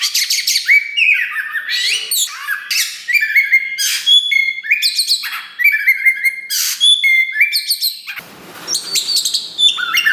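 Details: Loud, busy song of a kacer wulung, a black Oriental magpie-robin newly pushing its tail, used to provoke other birds into singing. Repeated clear whistles and sharp clicks weave through rapid trills, with a brief rasp near the end.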